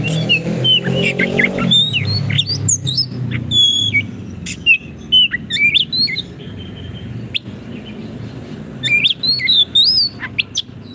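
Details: Oriental magpie-robin (kacer) in full 'gacor' song, used as a tutor for caged birds that have stopped singing: varied high whistled phrases and sharp clicks over a low droning background hum that is louder in the first two seconds.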